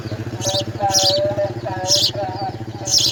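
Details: House sparrow nestlings in a nest being fed insects by a parent; short, high, harsh chirp bursts come roughly once a second over a steady low engine drone, with faint mid-pitched tonal notes between them.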